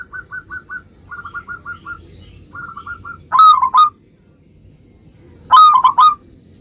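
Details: Singing local zebra dove, song meant to draw an immediate answer from other zebra doves: three soft series of quick repeated notes, then two loud three-note cooing phrases about two seconds apart.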